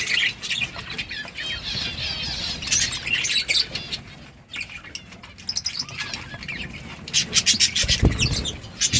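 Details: Chorus of budgerigars giving rapid, high warbling chirps and squeaky notes, briefly dipping quieter midway, then rising again into busy chatter, with a soft thump near the end.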